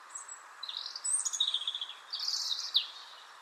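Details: European robin song played during a talk on Irish garden birds, a common bird heard in the evening and morning: high, thin warbled phrases with scratchy trills, two short bursts separated by a brief pause, over a steady low background hum.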